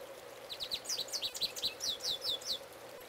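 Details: Male goldfinch belting out his song close by: a quick run of thin, sweet, twittering notes, slurred and varied, tumbling along at a lively pace over a low steady hum.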